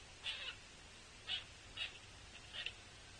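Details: A juvenile Pileated Woodpecker follows an adult female to the Cornell Lab feeders on 7 August 2023, begging to be fed. It gives four short, harsh, hoarse mewing begging calls at uneven intervals over a soft hiss.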